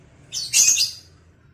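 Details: Lovebird during vocal training: two harsh, high, noisy chirps in quick succession, the second louder and longer, over quiet low background hum.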